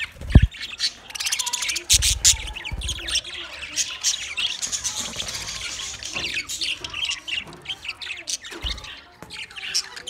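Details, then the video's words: Twenty budgie pairs chattering: a sharp thump opens, then a rush of rapid clicking chirps gives way to steady overlapping warbling and squeaky notes, with scattered low knocks. "20 Budgie pairs chirping sounds"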